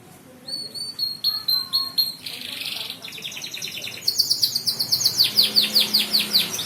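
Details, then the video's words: Canary song useful for tutoring young birds: varied high whistled phrases, quick repeated chirps in trills, a buzzy burst, then a loud fast series of descending sweeps repeated roughly every quarter second. "Burung Kenari Josss.. Bagus buat masteran.."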